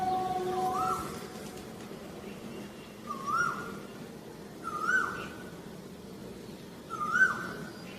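Asian koel giving clear, rising whistled calls about every two seconds over a steady low background hum.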